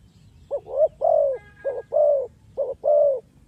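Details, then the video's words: Spotted dove used as a trapping lure; three phrases of a short coo followed by a longer drawn-out coo, steady low pitch, faint whistle-like tone briefly heard in the background. "The Sound Of Spotted Dove is so good"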